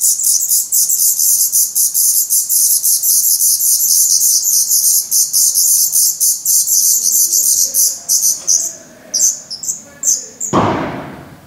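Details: Fast-growing Black Redstart nestlings shedding their down beg at the nest in Portugal on 17 May 2020; a packed high squealing chorus breaks into scattered notes and ends with a loud rustling thump.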